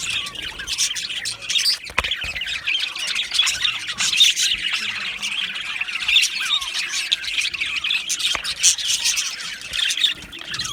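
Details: Australian budgerigars in an aviary colony, a dense continuous chatter of many overlapping warbles, chirps and squawks with a few sharp clicks.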